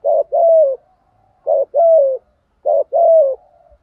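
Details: Spotted dove cooing in the thổ voice, thúc gù style, played to lure wild birds: three evenly spaced low phrases about 1.3 seconds apart, each a short burst then a longer, gently falling coo.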